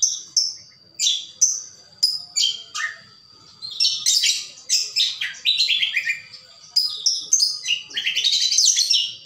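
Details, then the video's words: Greater green leafbird, locally called cucak kombo, singing in a lively gacor style: a varied run of sharp high chirps, whistled slurs and rich warbled phrases, delivered in bursts with brief pauses between them. "Suara gacor cucak kombo"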